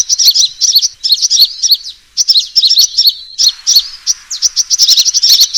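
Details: Lure recording of a sunbird's fighting call, used to attract birds for trapping: fast, piercing high chirps in quick clusters, several bursts separated by short gaps, energetic twittering with a clean background.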